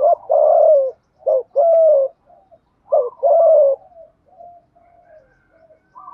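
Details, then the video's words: Spotted dove repeating a rapid thúc gù coo pattern meant to provoke decoy doves: three bursts, each a short clipped note followed by a longer loud coo, then quieter scattered murmurs. "cu gáy thúc gù bài bản bổi nghe ức chế với giọng này, cu gay kich boi nhanh noi gù"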